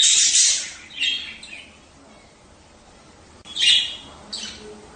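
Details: Budgerigar, a sound for prompting breeding: a loud rasping squawk opens, followed by softer chirps, a quiet pause, then another harsh burst and a trailing buzzy note.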